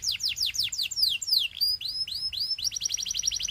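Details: Belgian canary song meant to tempt other canaries into singing: rapid series of high downward-sweeping notes, then upward-curving whistled slurs, ending in a quick even trill of short repeated notes.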